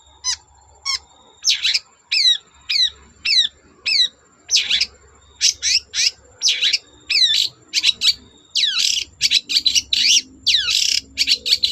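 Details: Long-tailed shrike in vigorous song intended to make other shrikes sing. Regular sharp downslurred chirps speed into a dense, scratchy chatter, with low background rumble throughout.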